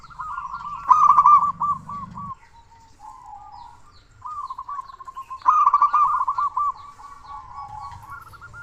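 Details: Local zebra dove with a strong voice, kept as a master bird to get silent doves singing: two loud bursts of rapid bubbling coos separated by a quieter pause, with fainter coos between.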